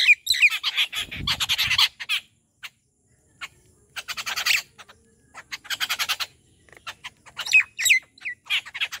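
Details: Rufous treepie being fed at home in the morning: bursts of rough, rasping squawks separated by pauses of one to two seconds, with a soft low rumble under the first burst.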